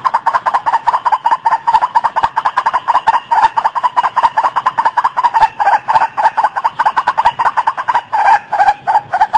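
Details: Harsh, fast-repeated croaks of a White-breasted waterhen, a steady unbroken chatter of nasal notes running throughout, some bursts louder than others.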